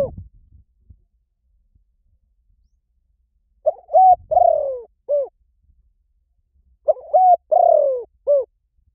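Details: Spotted dove giving a soft cooing phrase of several low hooting notes, including a longer sliding coo, repeated twice after a pause, in an otherwise quiet recording used to lure birds.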